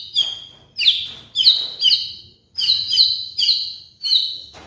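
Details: White-rumped shama kept as a songbird, heard in trigger master song for molting birds: loud clear whistled notes, each sliding downward, given in quick rhythmic series of about two per second with a short break.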